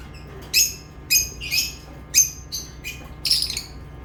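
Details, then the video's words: Lovebirds giving single sharp, high chirps, about one per half second, each a short bright note, with a quiet low hum behind. "Love birds chirping sounds"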